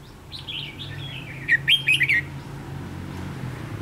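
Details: Red-whiskered bulbul used as a trapping decoy, 7 November 2016: soft slurred whistles give way to a brisk run of four or five bright, chirpy notes, over a low steady hum.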